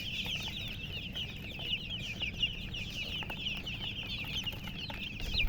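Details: Chicks cheep steadily as a group, with bright descending chirps layered densely throughout. Low hum sits underneath, and a thump comes at the very end.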